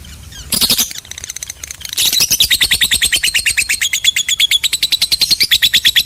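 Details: Lovebird chattering in a long ngekek run: after a few brief chirps, a fast, steady series of sharp repeated notes sets in at about eight per second and carries on unbroken to the end.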